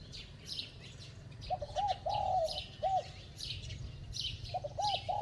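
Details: Spotted dove with a bell-toned voice giving quick, urging coos: short hollow notes, a longer drawn coo, then a rapid pair of notes, all over steady high-pitched chirping from other small birds.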